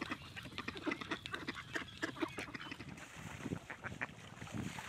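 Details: Mallards at George Reiffle Park in 2014, heard as a busy flock: short quacks and honking notes repeated irregularly among other waterfowl, with background murmur.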